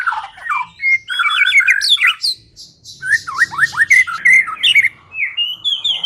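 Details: White-rumped shama singing on a lure recording intended to trigger song in a silent bird. Varied whistles and harsh chattering notes, then a series of quick down-slurred whistles and rising twittering phrases.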